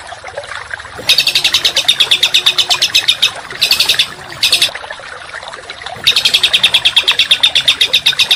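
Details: Songbird song compiled as masteran training audio for contest birds, in the dense, rough 'tembakan rapat' style: bursts of rapid, evenly repeated high sharp notes lasting about two seconds, separated by short pauses, over a steady background hiss.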